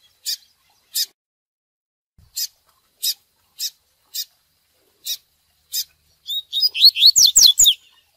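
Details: Spirited double-collared seedeater in "tui tui" training song. Crisp high single notes sound roughly every half second to second, building into a rapid tumbling sequence of downslurred whistles at the close.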